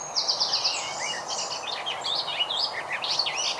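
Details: Garden warbler, one bird singing continuously in a conversational warble, longer than a blackcap's song: a high, rapid run of fluty and scratchy notes, starting with a quick repeated trill, over a steady hiss of background noise.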